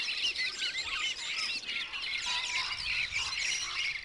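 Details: Wood duck chorus made of many high, thin whistles and short squealing slurs that overlap continuously, with a steady background hiss.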